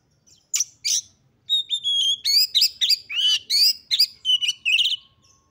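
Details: Female white-rumped shama calling to provoke males into display: two sharp clicks, then a run of buzzy, rising and falling whistled chirps.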